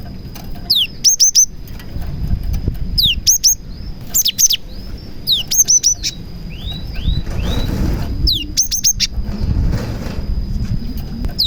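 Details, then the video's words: Cinereous tit (gelatik batu) song with prinia imitations, meant to entice other tits into song; downslurred whistles and paired sharp high chips every two seconds, a softer series of falling notes midway, with low rumbling noise. "BURUNG GELATIK GACOR ISIAN PRENJAK • AMPUH MEMANCING BURUNG GELATIK LAIN AGAR CEPAT GACOR"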